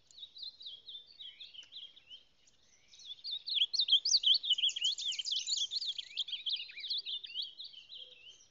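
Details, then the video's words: Ultramarine grosbeak (reina mora) from the Salado singing: a softer opening twitter, a brief gap, then a rapid, loud jumble of high zigzagging whistled notes that slowly fades. "Reina Mora Del Salado Cantando"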